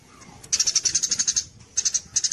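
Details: Javan munia song recorded as contest training material, in the kapas tembak style: two bursts of rapid, very high, sharp ticking notes, around eight per second, separated by a short pause.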